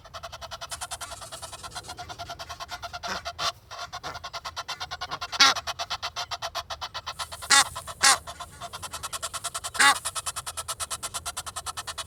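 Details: Egyptian geese calling in Kensington Gardens, London, in the rain, two walking and two in a tree: a continuous fast, breathy pulsing chuff with a few loud, harsh honks breaking out at intervals.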